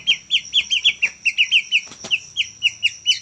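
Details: Juvenile white-rumped shama of the Medan type giving short, down-slurred chirps in a steady series, roughly four to five per second, with a faint hum beneath.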